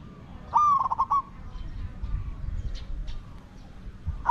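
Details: A decoy spotted dove for luring wild doves gives one clear, fluttering coo of rapid pulses near the start. Faint rustling and knocks follow, and the next coo begins at the very end.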